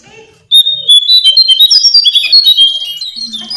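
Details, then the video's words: Lesser shortwing song: a loud burst of high, tumbling whistles and rapid warbled notes, running on without a break after a short quiet start. "Master Pancingan Burung cingcoang/jongkangan coklat"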